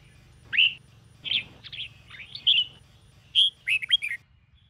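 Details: Red-whiskered bulbul singing during morning training: a string of clear whistled notes, some rising and slurred, ending in a quick fluty phrase, with faint low hum.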